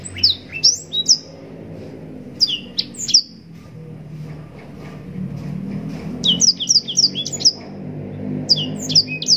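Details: Yellow-rumped serin, known to bird keepers as blackthroat, giving brisk clusters of piercing whistled notes and chirps, separated by quiet stretches of a few seconds, in its long 'gacor' mastering style.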